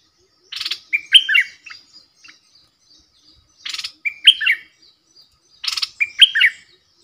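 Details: Bulbul kept in a cage as a lure while wild birds come in, April 2021: three repeats of a rasping burst followed by lively, liquid, warbled notes, with soft chips between phrases.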